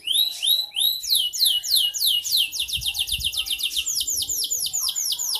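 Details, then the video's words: Kalitan-style canary song delivered vigorously: two clear descending whistles, then long runs of rapid, downward-sweeping high notes that speed into a dense trill before slowing to evenly spaced slurred phrases. "Suara burung Kenari kalitan gacor"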